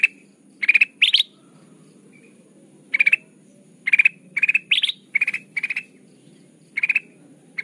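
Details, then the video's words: Kutilang emas (golden bulbul) recording used as a trapping lure, described as lively, chatty and crystal-voiced: short bursts of rapid, bright stuttered notes, about ten bursts at uneven intervals, over faint low background hum. "suara burung kutilang emas pikat terbaru 2023 || Suara pikat kutilang emas gacor"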